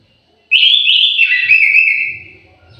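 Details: Orange-headed thrush in an aviary giving a melodious whistled phrase, warbling briefly at its start, then sliding into a lower sustained note that fades over about two seconds.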